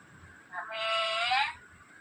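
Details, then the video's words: Black-capped lory, a talking parrot, giving one drawn-out nasal, harmonic-rich vocalization lasting about a second, steady then gently falling, against a quiet room background. "black cap lorri keet amazing voice"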